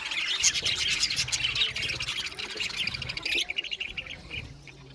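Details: Aviary colony of budgies chirping and singing together, rapid bursts of scratchy high chirps that thin out after three seconds, with faint low rumbling underneath.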